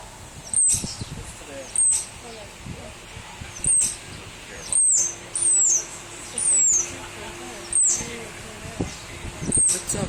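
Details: European starling, a black bird perched on a hotel, calling repeatedly: thin, very high, downslurred whistles every second or so, some drawn out into longer falling slurs, with quiet voices and faint traffic-like noise beneath.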